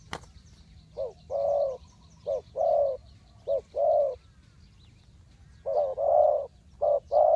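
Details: Spotted dove calling to lure wild birds into a trap: groups of low coos, a clipped note followed by a longer rolling one, a pause mid-phrase, then the pattern repeats. A sharp click at the start.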